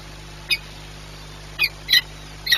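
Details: Peregrine falcon at a nest site in Płock during feeding, 21 April 2021 at 9:57; four short, harsh, scratchy calls, one alone then three spaced about half a second apart, over a steady low hum.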